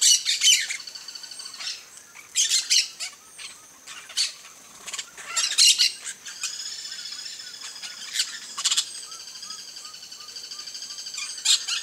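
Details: Campo flicker, a large ground-dwelling South American woodpecker of open grassland: loud harsh squawking bursts recur every second or two, followed by a long run of rapid, evenly repeated high notes.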